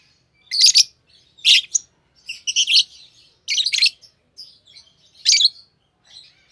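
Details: Two green Fischer's lovebirds singing in bursts of shrill, grating chirps about every second, some loud and clustered, others softer twitters between them.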